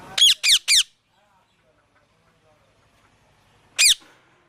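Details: Parrot calling loudly: three harsh, rasping squawks in quick succession, a pause of about three seconds, then one more squawk. The background is otherwise quiet.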